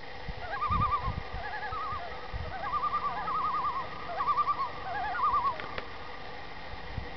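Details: Common Loons on Long Lake in the Adirondacks, New York, in the morning, give wavering, quavering calls in short bursts, repeated several times over a few seconds, with low rumbling background noise.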